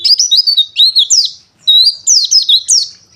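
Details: Pleci dakun wilis white-eye giving a fast, loud, high-pitched warbling song of sliding chirps, run in two bright phrases with a brief gap between them.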